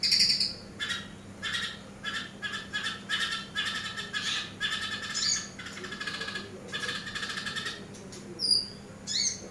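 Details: Chirping Eurasian tree sparrow, played as a master recording for training birds: rapid series of harsh, squawky chirps in clusters, a few thin rising whistles near the end, with a low background hum.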